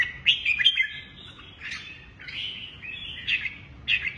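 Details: Red-whiskered bulbul of Lân Tê type in a cage, with a shrimp-curved back and drooping wings, hopping across two perches. Series of cheerful, fluty whistled phrases with quick twittering notes, each burst separated by brief gaps.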